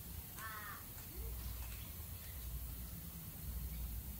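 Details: Galah in Australia uttering one brief grating screech, followed by a faint short rising note, with constant low-pitched rumble underneath.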